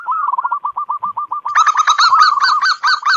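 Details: Song of a local zebra dove, or perkutut: quick, evenly spaced soft coos that build into a louder, fuller sequence of rising-falling notes, roughly two per second.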